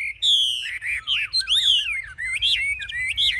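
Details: Chinese hwamei, caged fighting bird with wings raised and tail fanned, pours out loud, continuous, richly varied whistled song with looping, rising and falling phrases and few pauses.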